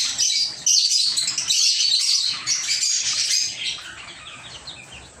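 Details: Small aviary of lovebirds chattering: rapid, overlapping high chirps at about four per second, loud at first, then thinning and fading toward the end.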